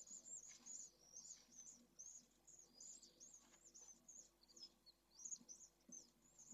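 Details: Nest-camera sound of three young pallid swifts in nest N1, Jerez: a steady stream of high, thin, twittering squeaks that rise and fall, quiet and close, with light scuffling underneath.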